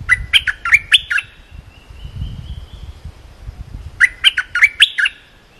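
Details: Cream-vented bulbul training song for teaching young birds: two short bursts of bubbly, chirping notes a second long, separated by a quiet gap with a faint thin whistle; low rumble underneath.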